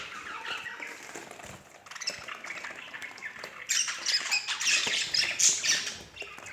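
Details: Budgerigar pair: soft scattered chirps at first, then a sudden louder burst of fast, grating high chatter and squeaks in the second half.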